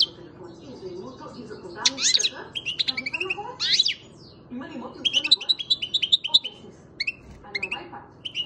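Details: A seven-month-old European goldfinch bred in Macedonia delivers a dense, high, chattering song of squeaky sweeps, buzzes and fast repeated twitters, with a murmuring low background.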